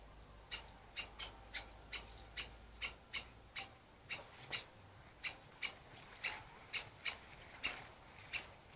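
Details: Two angry woodpeckers, the parents of nestlings, defending their nest on a dry branch and driving off an intruder: sharp, short 'kik' notes repeated about twice a second, fairly irregular, with a quiet background.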